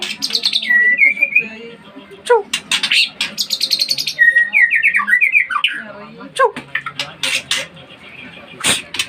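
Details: Caged white-rumped shama singing: clear whistled phrases rising in steps, then bursts of rapid chattering notes and a few dropping whistles, with background music and occasional noise.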